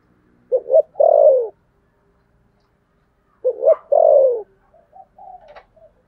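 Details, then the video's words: Spotted dove cooing in the voice style called 'thổ sấm thúc gù'. Two low coo phrases about three seconds apart, each a short stuttered lead-in and then a long, drawn-out descending coo. The second phrase ends with soft clipped notes. The background is quiet. "cu gáy giọng thổ sấm thúc gù"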